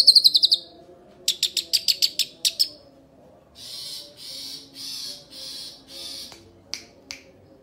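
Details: Young long-tailed shrike calling: a quick burst of sharp notes, then a faster run of clipped notes, followed by harsh, rasping half-second bursts repeated about once a second, ending with a few isolated clicks.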